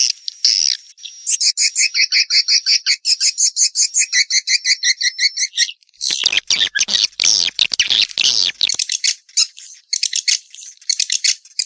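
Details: Swiftlet lure call used to attract swiftlets: a rapid series of evenly spaced high chirps with a sustained tone for several seconds, then a burst of harsh clicking pulses followed by more high twittering.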